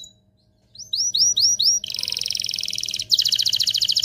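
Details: After a brief pause, four rising whistled canary notes lead into a rapid buzzing roll and a louder pulsing trill; song described as stirring males and females to mate, over a faint hum.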